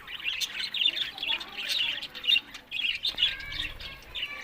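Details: Pet budgerigars chattering happily together: a continuous warble of overlapping chirps, squeaks and short trills, with occasional louder squawks.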